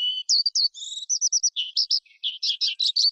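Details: Skylark song of high whistles and short buzzy notes, speeding into a fast chattering trill toward the end.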